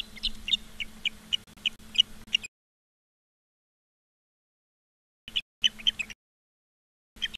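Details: Nest-cam audio of ospreys in Charlo, Montana, 15 August 2023 at 16:06: a burst of shrill repeated whistles, then a silent gap, then short further bursts of the same calls, with a low hum.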